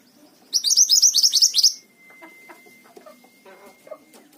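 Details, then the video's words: Mountain tailorbird in lively song: a rapid burst of about nine piercing, high, falling notes, then a long, thin, level whistle fading slowly over about two and a half seconds. "BURUNG MANTENAN GUNUNG GACOR"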